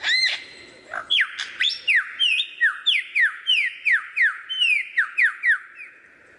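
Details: Lyrebird singing a varied song imitating other sounds: a quick run of clear whistled notes, each sliding sharply downward, repeated about three times a second in a steady series of roughly fifteen, after a few brief opening calls.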